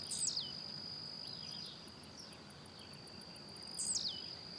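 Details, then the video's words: Blue-black grassquit singing while hopping about in the wild. Two short, buzzy, down-slurred notes sound about three and a half seconds apart over a steady, high insect drone and faint ticking. "Tiziu Cantando Na Natureza"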